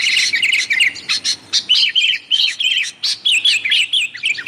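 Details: Sooty-headed bulbul giving noisy, prolific calls for luring wild birds: opening flurry of sharp chirps, then repeated short slurred whistles in separate bursts about every half second.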